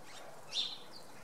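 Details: Common redpoll at Oksywie on a Sunday morning, one short high chirp rising and fading in under a second over a steady background hiss.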